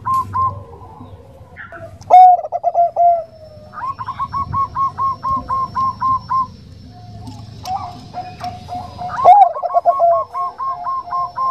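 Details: Female Bangkok zebra dove calling a male in a soft voice: repeated bouts, each a slurred opening coo followed by a rapid string of short clipped notes, with quiet gaps between bouts.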